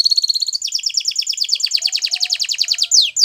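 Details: Belgian canary delivering a rapid trill of repeated falling notes, roughly ten per second, closing with a couple of longer downward-swept whistles.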